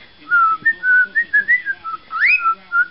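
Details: Male pet parrot whistling the tune of "Pop Goes the Weasel" indoors, recorded on a small laptop: a run of clear, steady whistled notes stepping up and down, ending in a sharp rising upward sweep, then a final short note.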